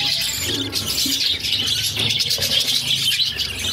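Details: Hungry budgerigar chicks fed by their mother, a brood of six pet birds; harsh buzzy squeals overlap in a constant stream, swelling and easing in short pulses.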